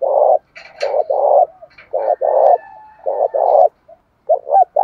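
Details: {'caption': 'Spotted dove calling to goad rival males into a fight: dense back-to-back coos, short notes each followed by a longer one, ending in a few quick hoots.'}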